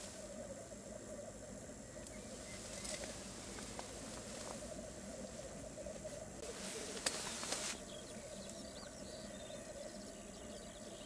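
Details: Black grouse at a lek in Västra Götaland, Sweden, give a steady low bubbling, cooing chorus, broken by a brief hissing rush near the end.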